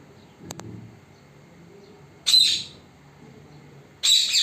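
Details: Pet parrot recorded secretly so it would not notice; a faint low click early on, then two harsh, broadband squawks roughly 1.7 seconds apart, the second longer and sustained.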